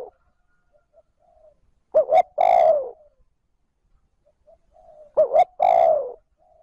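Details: Kept decoy spotted dove giving the smooth 'trơn ròng' call used to rouse wild doves. There are two full phrases, each a clipped double note leading into a long, mellow coo that drops at the end, with faint soft notes between them.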